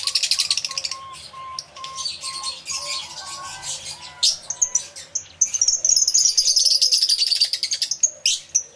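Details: Aviary full of lovebirds, recorded using a camera with two external microphones: continuous high, rapid chattering with a long shrill descending squeal midway, followed by fast repeated sharp chirps.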